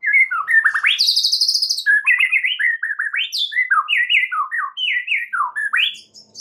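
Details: White-rumped shama song used as a master recording to make other shamas excited and sing: a fast, varied run of loud whistled phrases, rising and falling slurs, a high rapid trill around one second, continuous and rich, with no other sounds.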